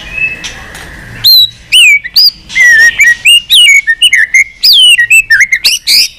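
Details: White-rumped shama singing continuously with many unusual voices, tail-flicking on its perch: loud pure whistled notes sliding down from high to mid pitch, delivered in quick varied bursts with short clicks between them.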